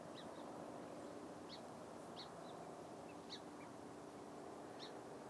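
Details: Long-billed dowitcher giving short, sharp, high keek notes, sometimes followed by a fainter lower note, about five calls spread over five seconds above a steady low background hum.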